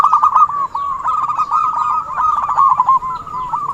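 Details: Zebra dove sounding a lure call for trapping: an unbroken chain of quick, clipped cooing notes, evenly pitched and rolling on without pause, with a brief dip in loudness early on.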